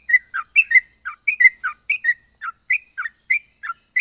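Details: Yellow-vented bulbul delivering a whistled, jerky song of paired rising and falling notes, repeated with brief pauses, clean and uncluttered.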